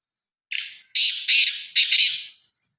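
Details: A kept black francolin, a large Sindhi bird in good form, gives a loud, harsh, buzzy call: one short grating note followed by three longer rasping notes in quick succession. No other sound is heard.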